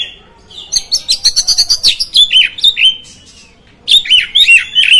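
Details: Kacer, the oriental magpie-robin, singing to rile up other magpie-robins: quick series of sharp chirps followed by descending slurred whistles, a brief pause, then another burst of rich, warbled whistled notes.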